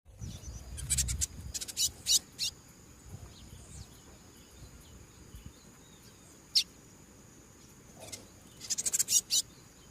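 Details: Double-collared seedeater singing and calling in the wild: clusters of sharp, high chirps early and again near the end, with a lone note between, over a steady thin high hum and rustling background noise.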